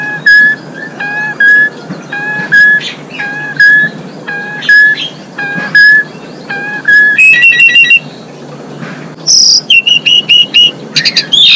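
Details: Female Asian pied starling singing to bring males into breeding condition: a steady whistled note with a fainter lower tone repeated about every half second, then rapid buzzy high trills and sharp chirps near the end.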